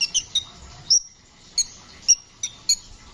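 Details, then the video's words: Brown-throated sunbird giving sharp, very high chips and short whistled notes, several with a thin ringing tail, spaced irregularly about every half second, over faint hiss; a training recording meant to prompt caged songbirds to sing. "burung kicau Kolibri ninja gacor ngeroll"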